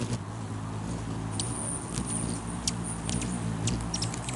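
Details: Rufous hummingbirds fighting to perch on a man's finger on May 20, 2020; sharp, very high chips scattered through the second half over a steady low hum and background rumble.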